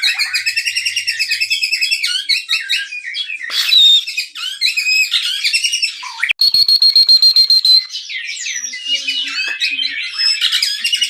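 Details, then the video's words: Captive white-rumped shama (murai batu) from a Pangandaran breeding facility, described as back in top form after moulting and fat surgery, sings a lure song: dense, fast varied whistled phrases and rapid trills, with one long sustained high whistle midway. "suara pancingan murai batu"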